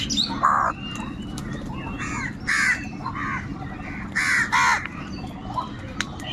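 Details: Crows calling loudly and continuously while fighting for food, described as angry; harsh, grating kaa-kaa caws in irregular bursts roughly every second or two, with other birds chirping faintly behind and a low hum.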